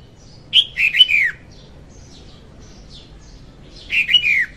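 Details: Song of a female red-whiskered bulbul, played to lure birds for trapping; two rich, slurred phrases of several notes each, sliding downward, with soft faint chirps between.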